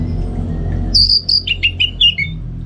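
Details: Orange-headed Thrush, a caged bird being trained for song contests, gives a brief run of clear whistles that step downward, each note short and bright, with a constant low hum underneath.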